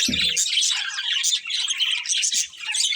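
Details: Short burst of budgie chatter from a breeding pair: rapid high chirps and warbles pour out continuously, with a low knock at the very start.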